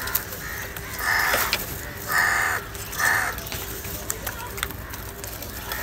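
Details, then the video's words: Crow giving calls described as anger and calls for food: three moderately loud, harsh caws spaced about a second apart, over a noisy outdoor background. "Crow bird live Cowing sounds - Crow bird unity anger and sound for food | Crow fighting"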